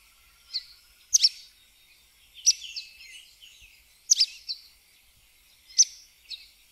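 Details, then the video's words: Sooty tyrannulet (Serpophaga nigricans) singing: sharp, high, doubled chips repeated about every one and a half seconds, with faint thin twitters and other birds' chirps softly in between. "Joao Pobre - Canto"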